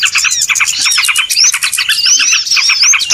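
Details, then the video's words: Lure recording of small birds for trapping, busy and loud: packed rapid chirps with several clear rising whistled notes standing out above the chatter. "SUARA PIKAT BURUNG RIBUT"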